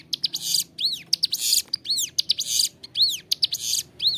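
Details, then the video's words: Bar-winged prinia singing clearly and nonstop, recorded as a training tutor: quick sharp ticks lead into bowed whistled notes and scratchy buzzes, cycling about once a second. "Ciblek gunung gacor suara jernih, cocok buat masteran"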